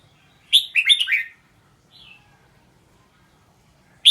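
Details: A single Red-whiskered bulbul phrase of about one second: five bright, bubbling whistled notes tumbling downward. A faint, soft slurred note follows, then silence until a sharp note at the very end.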